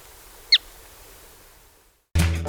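A single sharp, high, slightly downslurred note from a Caspian Plover rings out once over quiet background hiss, followed by a silent gap before music begins.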